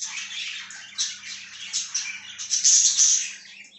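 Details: A pet budgerigar, recorded 14 September 2023, chatters in a dense, scratchy stream of high chirps and squawky warbles, rising in intensity toward the end, with a faint indoor hum beneath.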